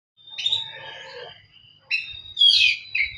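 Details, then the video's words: Oriental magpie-robin singing while seeking a rival: a varied phrase of whistled and scratchy notes around a strong steady tone, a pause, then louder rich warbled notes rising and falling. "Kacer cari lawan."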